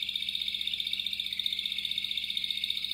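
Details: Male Waterslager Malinois canary over a year old, kept as a pet, holding one sustained high rolling trill for the whole stretch, evenly pulsed and unbroken, with a faint low hum underneath.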